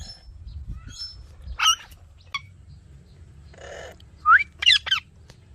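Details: Chirping ringneck parrot: a few scattered harsh chirps, then a burst of rising, twisting notes near the end, with faint higher tweets and a brief noisy rasp between.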